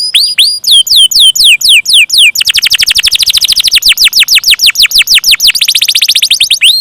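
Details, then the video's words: Canary singing a long rolling 'ngeroll panjang' song: spaced, looping downslurred whistles give way after two seconds to a fast, dense roll of repeated falling notes that quickens near the end. "KENARI KOLABORASI GACOR NGEROLL PANJANG"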